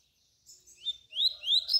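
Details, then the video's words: Double-collared seedeater (coleiro) in the 'tui tui' canturia song, used to teach young birds: a brief burst of high, buzzy rising notes that come faster toward the end, in an otherwise quiet setting. "coleiro canturia bitola para ensinar seus filhotes"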